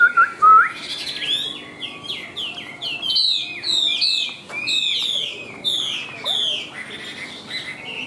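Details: Rich, continuous warbling from a caged white-winged, white-tailed Chinese hwamei, described as singing high: tumbling, overlapping whistled slurs and chirps with barely a break throughout.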